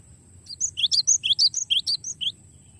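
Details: Rolling song from a cinereous tit, recorded for tutoring songbirds: a lively series of piercing whistles alternating two pitches, about a dozen notes over 1.8 seconds, with a soft background hum.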